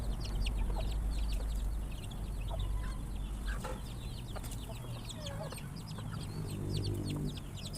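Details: Chickens in a large group, alarmed by a noise while eating, make many short high chirps and a few lower clucks over a loud, steady low-pitched drone.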